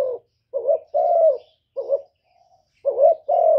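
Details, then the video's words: Spotted dove coos in the 'thổ thúc' voice, used to provoke rival wild doves: soft two-part hoots, a short upward note then a sustained descending one, three phrases in quick succession. "cu gáy giọng thổ thúc gù + gáy gọi giọng rất chuẩn để kích bổi"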